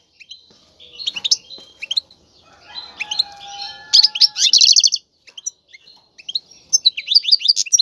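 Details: Caged male European goldfinch in vigorous courtship song meant to push a female toward mating; jumbled twittering, a steady lower tone mid-phrase, then fast high trills and chirps.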